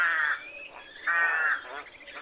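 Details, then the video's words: Rook, a crow-family bird: two loud, hoarse, grating caws about a second apart, each lasting under half a second, with faint rasping in between. "¡Escucha el graznido del GRAJO!"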